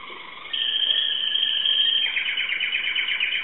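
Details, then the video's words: Timbrado canary from Greece delivering a continuous, metallic rolling trill that becomes more pulsed and rattling in its second half. "greek canary timbrado singing song"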